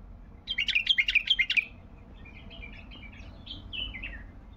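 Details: Baghdadi bulbul 'tayyarat' phrase: a fast, loud string of about eight sharp bubbling notes over one second, then softer descending whistled chirps trailing off.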